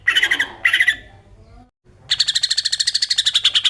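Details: Greater green leafbird besetan song, used to stimulate untrained birds: two coarse chattering bursts, a pause, then a fast, regular string of sharp high notes for over a second and a half.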